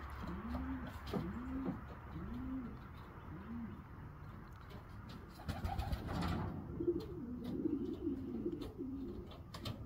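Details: Racing pigeon youngsters being trained give a run of low, curved coos at first, then after a rustling burst a denser overlapping bout of throaty cooing.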